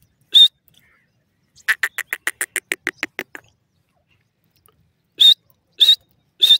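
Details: Partridge (teetar) giving a rapid series of about a dozen dry 'tik tik' clicks, preceded by one harsh whistled note and followed by three more harsh notes spaced about half a second apart.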